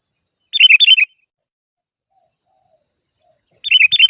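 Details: A lively sooty-headed bulbul calls to a rival, giving two bursts of quick, bubbling, slurred notes. Each burst is half a second long and they are about three seconds apart, with silence between.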